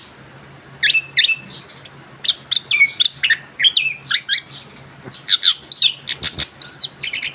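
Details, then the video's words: Young caged orange-headed thrush, recently through its moult, singing a continuous rolling 'ngerol' song: rapid high chirps, short whistled notes and buzzy trills packed closely together, with a faint steady low hum throughout. "kicauan anis kembang muda ngerol pasca ganti bulu"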